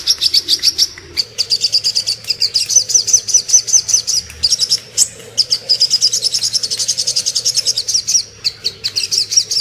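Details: Little spiderhunter singing for songbird tutoring: long, rapid streams of sharp, high-pitched ticking notes, nearly continuous, broken by a few short pauses; low electrical hum audible underneath.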